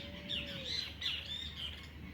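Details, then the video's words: Birds on an early autumn morning in the countryside of central Buenos Aires Province, Argentina: bright, sharp chirps and short twittering notes in quick bursts, with a faint lower falling whistle at the start over a soft rural background hum. "Despertar con el sonido de los pájaros"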